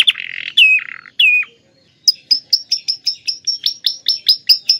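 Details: Canary singing lovebird-style phrases: two or three harsh, descending buzzy calls, a gap, then a string of piercing high chips spaced about a quarter second apart.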